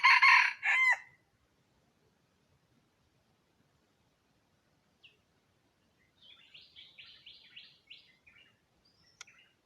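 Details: Wild red junglefowl crow, used as a lure to draw in wild chickens, recorded 23 April 2023; a single loud, harsh crow with a broken ending opens, followed after a pause by a faint run of high chirping notes.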